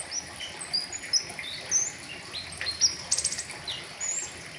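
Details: Tutor recording of a flowerpecker singing 'riwikan' full-filler style: thin high whistles and chirps, a sudden rapid buzzy trill in the middle, then scattered notes, over steady light hiss.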